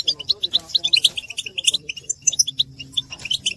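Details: European goldfinches giving twittering mating and readiness calls, used to stimulate silent males to sing: quick liquid chirps and trills in rapid irregular bursts, with a faint low murmur underneath.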